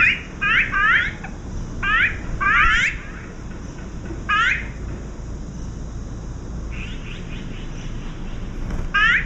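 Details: Azure-winged magpies, three visiting a backyard feeding spot shared with turtle doves in Korea, give harsh, rising squeaky greeting calls in quick clusters of two or three, with pauses between bursts, over a steady low hum.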